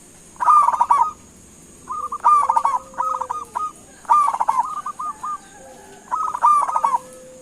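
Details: Local zebra dove lure call to make other birds respond: four bursts of rapid rolling coos about every two seconds, each followed by a few clipped notes, with a steady faint high-pitched hum.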